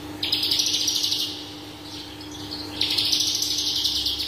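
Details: Horsfield's bush lark of the parva type singing energetically, a long rapid buzzing trill, a softer warbled interlude, then another intense pulsed trill; faint steady hum underneath.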